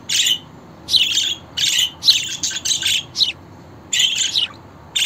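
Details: Budgerigar chirping and warbling in irregular spurts of buzzy, squeaky notes, roughly one burst each second with short silences between.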